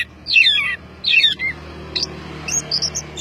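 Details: Orange-headed thrush, a master recording of energetic gacor song: two dense, warbled high phrases followed by scattered thin, pure whistled notes, over a faint low hum.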